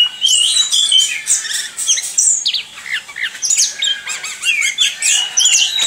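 Orange-headed thrush in rapid, unbroken song: a dense stream of varied high whistles, chirps and squeaky phrases tumbling one after another without pause.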